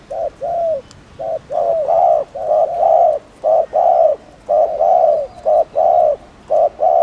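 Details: Spotted dove provocation cooing, a dense series of low hollow coos in short and long notes, delivered rapidly with little pause between pairs.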